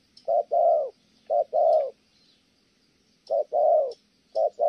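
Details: Spotted dove from Kon Tum giving a good thổ âm style coo: low paired hooting notes, a short note then a longer one, repeated in bursts with brief pauses; faint high chirps above.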